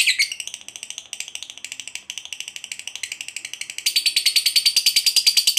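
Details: Long ngekek chatter of a fighter lovebird, meant to rouse silent lovebirds into replying: rapid, evenly pulsed rattling trill, briefly broken, then rising to a sharper, louder stretch near the end.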